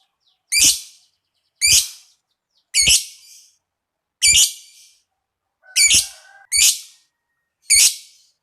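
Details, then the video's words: Lovebird chirping, played to stimulate other lovebirds to sing a long trill: seven harsh, high chirps spaced about a second apart, each a short rasping burst. "tingkatkan gairah bunyi lovebird apapun Fighter , Ngetik dan ngekek panjang"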